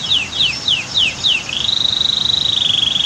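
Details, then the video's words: Canary song above waterfall noise: five high, down-sweeping whistled notes at even intervals, then a rising slide into a fast, steady, rattling high trill. "Masteran Kicau KENARI"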